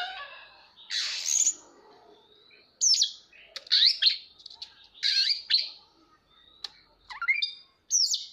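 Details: Oriental magpie-robin singing during display, mixing harsh scratchy bursts with sharp whistles and downward-slurred notes in short phrases separated by brief gaps, with a faint murmur beneath.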